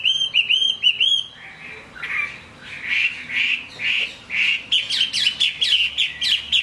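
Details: Singing in rain, a Chinese hwamei gives three quick upslurred whistles, then harsher, buzzy squawking phrases about twice a second, ending in sharp high rising flicks.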